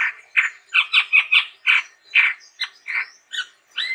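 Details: Chestnut-rumped babbler singing hard, with a steady run of harsh, scratchy squawking notes, roughly three per second, plus a few thin rising whistles.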